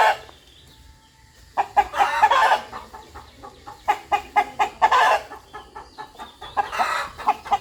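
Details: Farmyard rooster giving rhythmic clucks: a quiet start, then bursts of loud, throaty clucks in quick runs, easing into softer, evenly spaced single clucks toward the end.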